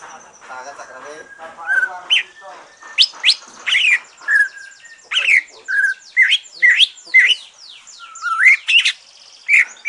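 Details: Post-moult green leafbird in song, used to excite other birds: a busy stream of sweeping whistles, sharp high strokes and short slurred notes, growing denser and faster toward the end.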